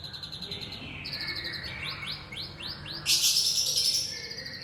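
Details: A young wild white-rumped shama from the forest sings a run of five or six sharp upslurred notes in quick succession, then breaks into a loud, dense high burst. Steady high pulsing runs in the background.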